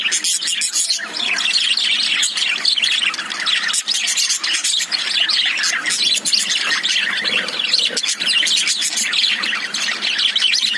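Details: Several caged lovebirds, also called budgies, chatter nonstop: harsh squawky chirps and rapid warbling notes packed tightly together, with sharp clicks scattered throughout.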